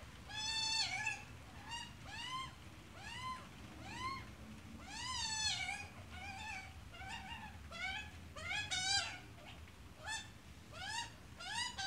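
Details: Australian magpie, adult with chick: long, persistent series of arched harmonic calls, roughly two per second, growing quicker and more crowded toward the end, over low background rumble.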